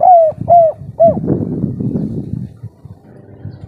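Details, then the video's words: Breeding-condition local spotted dove: three quick, clear, hollow coos in the 'kuk 3' pattern open the recording, followed by a low, muffled rumbling noise that fades out. "Derkuku kuk3 lokal gacor ngamuk suara besar - full birahi"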